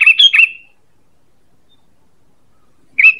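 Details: Call of the sooty-headed bulbul, used for luring birds: a fast cluster of three lively chirps, a long silent pause, then another burst of chirps starting at the end.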